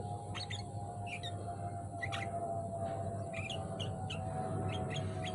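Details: Sooty-headed bulbul kept in a hanging cage, singing clusters of quick chirps and short bubbly notes in uneven bursts, with a constant low electrical hum and a thin high tone behind.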